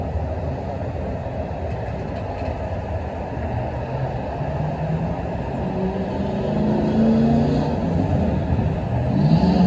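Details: Continuous urban traffic rumble with a passing vehicle whose engine tone rises toward the end, and no animal voices.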